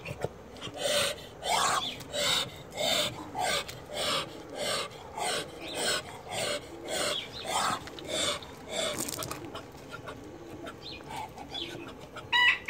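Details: Muscovy drake, chocolate German show line, giving rapid breathy hisses, about fifteen puffs at one to two per second, then a quieter stretch with faint background noise.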